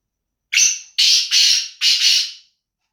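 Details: Loud, close black francolin call: four harsh, buzzy, grating notes, the second and third nearly joined and the last drawn out, delivered within about two seconds against silence.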